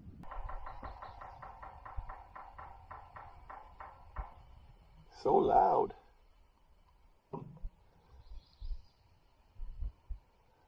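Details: During a backcountry canoe camping trip, a woodpecker that a viewer identifies as a Yellow-bellied Sapsucker drums on wood at about four knocks per second for four seconds, said to attract a mate; then a person speaks.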